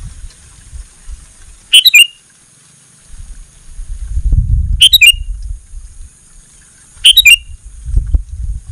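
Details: Sooty-headed bulbul singing vigorously, used as a lure for reluctant bulbuls in a garden: three short, bubbly, liquid phrases of three or four quick notes, spaced about three seconds apart, over a low rumbling background.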